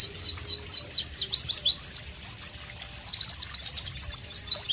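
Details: Melodious singing of a White-eye (Pleci) recorded in a tropical setting: evenly spaced high downslurred whistles, speeding into a dense, chattering run of sharp notes.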